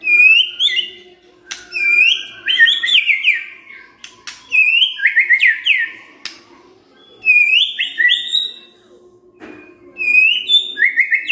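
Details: White-rumped shama lure song to spark singing in other birds: clear, bright whistled phrases sliding downward, repeated about every two seconds with short pauses and a few sharp clicks between them.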